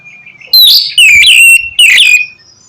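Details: Oriental magpie-robin 'ngeplong' song meant to stimulate silent birds: three loud notes, the middle one drawn out and slurring downward, each harsh and ringing.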